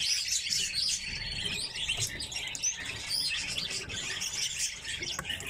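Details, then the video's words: A flock of captive red crossbills gives a steady stream of sharp, high chirping calls that overlap, with no other clear sounds. "Клесты - Loxia curvirostra"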